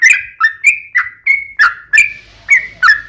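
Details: Song of a sooty-headed bulbul used to draw other bulbuls into answering: bright whistled phrases that dip and level off, repeated about three times a second, some held notes, in a clean recording.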